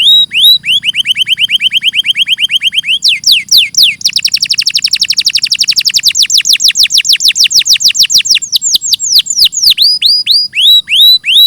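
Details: Canary singing: a steady trill of short high notes, then a long accelerating series of descending sweeps, ending in spaced slurred whistles. Clear, loud, no other sounds.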